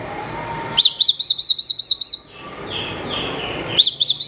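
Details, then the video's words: Horsfield's bush lark song for training other birds: a quick run of about seven high, ringing, arched notes. A softer, lower slurred phrase follows, then the bright notes return. "Ocehan Suara Burung Branjangan"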